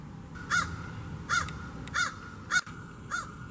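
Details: Crow giving one of its many calls used to communicate with others: five sharp, rasping notes in quick succession over three seconds, with a steady thin tone and soft low rumble underneath.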